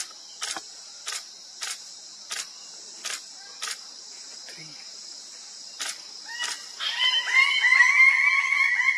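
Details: Lesser bird-of-paradise (Paradisaea minor) at Klasouw, West Papua, gives loud, harsh, ragged calls near the end, after a run of sharp regular clicks, over a steady high insect drone.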